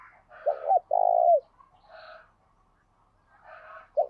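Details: Caged decoy spotted dove giving a spirited 'gáy sung' coo during decoy training with the kích bổi method: two short throaty notes, then a long low drawn-out coo. Fainter hoarse, higher-pitched calls fall between phrases.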